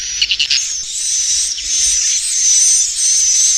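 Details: Swiftlets calling inside a productive swiftlet building: a dense, steady high hiss-like twittering with a thin whistled tone running through, opening with a few short pulsed bursts.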